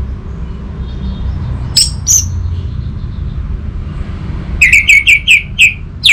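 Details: Orange-headed thrush song: two brief high squeaky notes, then a quick run of five loud downslurred whistled notes near the end, over a low rumbling background hum.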